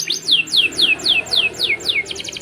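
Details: Canary singing 'cuit cuit' long-rolling song used to train young canaries: steady series of loud downward-sweeping whistles about every quarter second over a soft background hum, closing with a quick pulsed trill.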